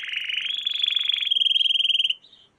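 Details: Canary song from a training lesson for young canaries. A loud, fast, buzzy rolling trill holds a high steady pitch, rising slightly, then fades into a brief softer note.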